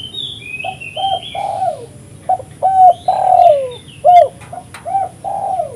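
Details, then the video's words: Spotted dove in persistent song, used to attract doves for trapping: a string of short low hollow coos in pairs, a long swelling coo that falls in pitch, then more evenly spaced coos. Faint high whistles open the sequence. "suara burung tekukur gacor paling ampuh untuk pikat dan pancingan"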